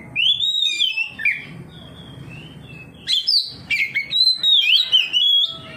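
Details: Responding to a rival, an Oriental magpie-robin sings ngeplong style, unloading its varied song; a sweet descending whistled phrase, a quiet stretch, then a quick string of clicks and high whistled slurs.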